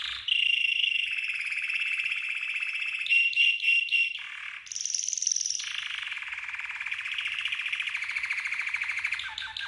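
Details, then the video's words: Red canary training song, played to teach other birds: long rolling trills and buzzy tours held for several seconds, shifting to a higher sweeping phrase midway, then back to a fast steady roll. "Red CANARY Training Song 12h"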